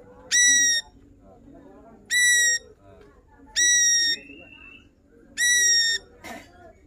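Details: Ashy drongo in lively full song, showing off its repertoire for use as a tutor recording for cage songbirds: four strong, harmonically rich whistled notes repeated roughly every one and a half seconds, with a short thin whistle between and a brief click near the end.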